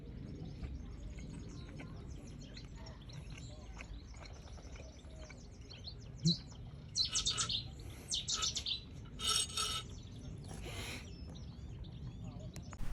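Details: Cetti's warbler at Elmley in daytime heat haze, bursting into loud, explosive phrases of sharp, metallic notes over about four seconds; a man talks quietly throughout over low wind rumble.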